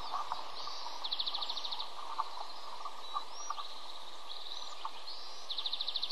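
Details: Osprey chicks begging at the nest as their father arrives with a small fish; high, rapid chirping runs in bursts of about a second, over a steady noisy background.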